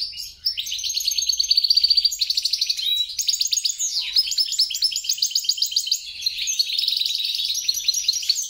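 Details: Hybrid of European and grey-crowned goldfinch singing: a rolling trill series, then swooping notes and metallic chirps strung together rapidly, high-pitched and continuous throughout.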